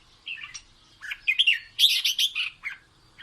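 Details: Red-whiskered bulbul singing to instruct chicks, delivering quick clear whistled notes that run into a dense, bright, rolling warble before a final short note.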